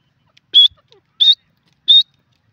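A grey francolin gives three loud, shrill, slightly rising notes, evenly spaced about two-thirds of a second apart; nothing else is heard.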